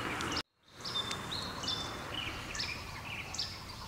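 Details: Russet sparrow recorded in southern Taiwan, where it is increasingly scarce: clear, high, slightly downslurred chirps and a thin whistled note come in irregular bursts, standing above steady low rumbling background noise, following a short silent break.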